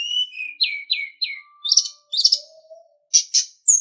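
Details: Master recording of hill blue flycatcher song for captive-bird training. Descending whistled notes repeat, then come brief noisy chirps and a final high slurred whistle, with short silences between.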